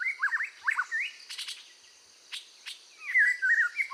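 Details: Red-whiskered bulbul singing intensely while being trained to stir up its fire: short warbling phrases at the start and end, broken by a few sharp high clicks and ticks in the middle.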